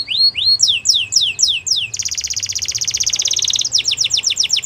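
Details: Belgian canary song: a series of rising then falling whistled notes, a long fast buzzy trill lasting about two seconds, then renewed quick downslurred whistles.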